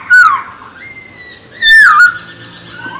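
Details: Chinese hwamei in full chattering song, used to rouse other pet birds into singing; long clear whistled notes, one held and steady, another sliding down, separated by quiet gaps.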